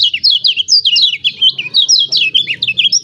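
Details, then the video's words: Lemon-bellied white-eye from Lombok, lure for birds slow to sing: a continuous stream of fast, high, twittering notes sweeping down and up, loud and unbroken throughout. "CIAK CIAK JOSS KECIAL KUNING AMPUH||PANCINGAN KECIAL MALAS BUNYI||"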